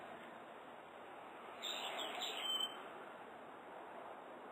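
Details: Brown-eared bulbul heard at waking on a morning of 17 October 2011, call likened to pii-pyururi: after quiet hiss, a single harsh, high, slurred call of about a second ending in a sharper squeak.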